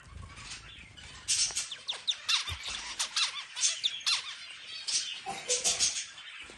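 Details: Zebra finch singing while it eats: a quick string of sharp, buzzy, nasal notes and downward-sweeping chirps, repeated in close succession after a quiet start, with a few soft low knocks.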